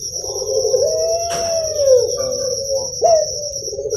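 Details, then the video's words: A kept Barbary dove (puter pelung, Streptopelia risoria) from Java, Indonesia, gives low, drawn-out, gently wavering coos, a sound meant to stimulate young doves, over a steady high insect-like whine and one sharp click. "FIBRASI RANGSANGAN SUARA UNTUK PUTER PELUNG YANG MASIH MUDA"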